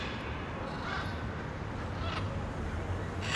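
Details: A blue-and-yellow macaw (Ara ararauna) in the wild gives three harsh, raspy screams, about one a second, over a steady low rumble.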